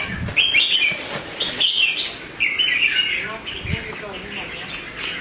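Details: Spirited red-whiskered bulbul, kept as a contest bird, sings choppy whistled phrases about once a second, separated by brief pauses, with occasional thumps and soft chatter nearby.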